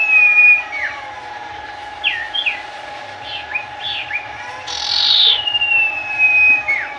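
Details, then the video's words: Sooty-headed bulbul singing briskly: varied short whistled phrases, some sliding up and some dropping, with a brighter burst near the end over a constant background hum. "sirpu gacor"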